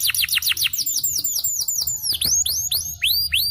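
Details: Yellow canary, a champion singer, giving clear, loud, downward-curving whistled notes in rapid succession, some with looping upward hooks, fairly evenly spaced.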